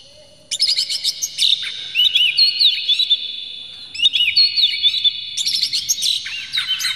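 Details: Oriental magpie-robin in full emotional song with tail spread, used as a lure to make other magpie-robins sing; after a brief quiet start, a dense stream of high, rapid whistles, trills and sharp chirps, varied and unbroken, with short swooping notes.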